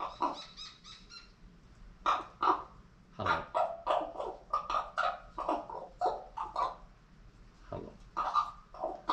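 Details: Pet female common raven indoors, making unusual noises at its owner, possibly trying to talk: a long run of short, harsh, broadband squawks and chatter in irregular bursts, with a quiet room hum behind.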